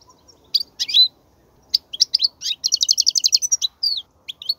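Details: European goldfinch singing, for young goldfinches to learn. A few sharp chirps, then a fast, regular trill of bright notes followed by a slurred descending phrase and closing chirps.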